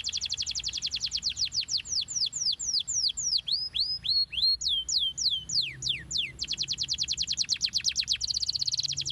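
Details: Canary song meant to stimulate young canaries into singing: fast high trills shifting into slower sweeping downslurred whistles, then resuming dense rapid rolling trills, continuous and loud throughout.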